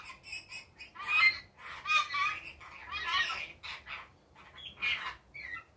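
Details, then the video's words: Rainbow lorikeet in the daytime giving harsh, shrill, buzzy screeches in bursts, several loud rasping squawks overlapping with shorter chattering notes and brief quiet gaps between them. "Rainbow Lorikeet daytime"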